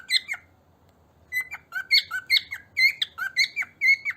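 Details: A grey (silver) cockatiel flock-calling gives a brief opening note and pause, then a rapid string of bright, chirpy squeaks.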